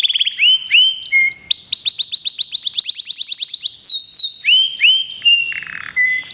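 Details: Local canary, entered for a singing contest, pouring out a continuous song of upswept chirps and a long rapid trill of rising strokes, ending with scattered hooked notes.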